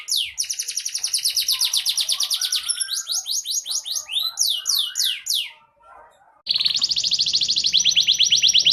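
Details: Fighting canary singing a training song: a steady high trill, then a series of slurred downward whistles, a brief quiet pause, and a fresh burst of fast rolling notes.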